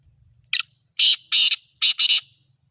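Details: Black francolin (kala titer), named in Sindhi, gives a brief rasping note and then two doubled harsh, buzzy calls in quick succession, loud against near silence.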